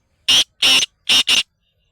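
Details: Black francolin giving a rapid series of four harsh, raspy notes within about one and a quarter seconds, the last two close together, with no other sounds around.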